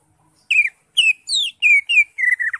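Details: Green leafbird in vigorous song, meant to prompt a non-singing caged bird: a brisk series of clear whistled notes, each sliding downward, delivered almost without pause over two seconds.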